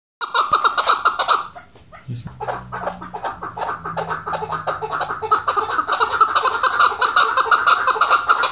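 A female chukar partridge gives a fast, cackling chatter of harsh repeated notes, over two per second, building steadily. A low hum is briefly heard.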